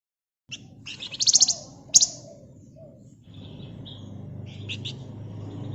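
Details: Flamboyan bird in quick chattering song: a brief high rattle of rapid notes and a sharp single burst, then a few softer high chirps as a low hum grows louder.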